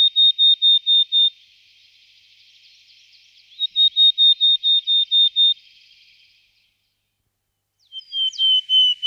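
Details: Willow tit, subspecies Parus montanus montanus: clear, pure whistled notes on one steady pitch, seven to eight per run, repeated rapidly in two runs separated by a pause, then a few slightly lower, falling whistles after silence.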